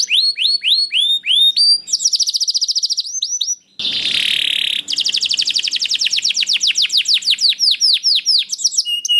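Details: Singing canary, played to prompt other canaries to sing: rapid rolls of upswept notes, a harsh buzzy burst in the middle, then a long fast trill of rising notes.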